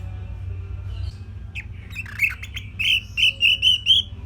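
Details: Orange-headed thrush singing a simple song meant as a master recording for young songbirds: faint scattered notes build into a row of short, clear whistled notes repeated about every quarter second, over a low background hum.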